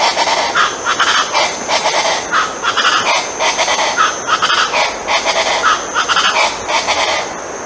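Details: Colombian chachalaca, known locally as guacharaca, a name imitating its noisy song, calling in loud harsh grating phrases repeated about every second and a half, layered and continuous, over a steady high-pitched hiss.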